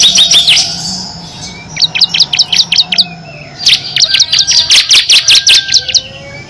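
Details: Ngebren song of a kristal bar-winged prinia with six variations, used to teach competition songbirds: repeated phrases of quick, evenly spaced high chirps, about three per second, separated by short gaps.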